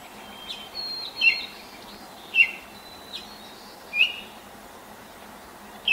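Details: Early-morning Baltimore oriole, 5:40 a.m., 10 May 2024, hopping and pecking in a neighbour's apple tree at sunrise; a handful of short bright whistles mixed with thin, faint higher whistled tones.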